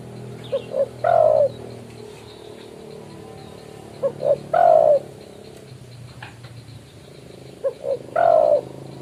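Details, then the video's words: Spotted dove calling a rival, used for lure trapping: a low cooing phrase of two short soft notes followed by a longer, rolling coo, repeated three times at intervals of about three and a half seconds over steady background hum. "BURUNG TEKUKUR/DERKUKU GACOR MEMANGGIL LAWAN COCOK BUAT MIKAT"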